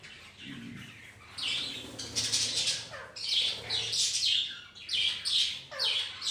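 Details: A home colony of budgies sharing space with ring-necked parakeets: quiet at first, then bursts of bright, high twittering and short chirps from several birds, pulsing roughly once a second.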